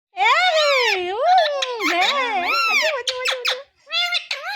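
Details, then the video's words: A pet Alexandrine parakeet talks in a high, nasal, squeaky voice, repeating the two-syllable word "mithu" in quick swooping bursts with rising and falling pitch. "Pahadi Parrot🦜 Talking Mithu Mithu||मिट्ठू मिट्ठू बोलने वाला पहाड़ी तोता"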